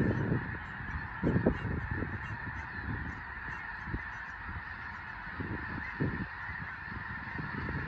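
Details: Snow Geese in a large flock on Fir Island, Skagit Valley, Washington State, lifting off when a raptor passes overhead; constant massed honking and yelping, with heavy low-frequency buffeting and bursts of wing noise.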